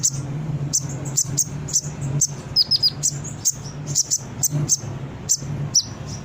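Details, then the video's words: Brown-throated sunbird chirping as a lure to prompt responses from newly kept birds: spaced, sharp high chips roughly twice a second, with a brief cluster of quick downslurred notes, over a steady low hum. "Suara Konin gacor pancingan burung bahan cepat respon dan bunyi"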